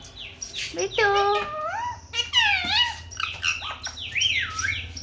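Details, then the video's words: Happy Indian ringneck parakeet enjoying the sun chatters in speech-like syllables with sliding pitch, then gives a series of shrill, looping high whistles; faint low hum underneath. "Talking parrot"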